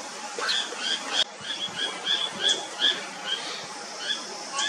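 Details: White-capped redstart, also called White-capped Water-redstart, a common Himalayan river-side bird, giving high, thin, clipped notes repeated quickly, several each second and unevenly spaced, over a steady hissing background.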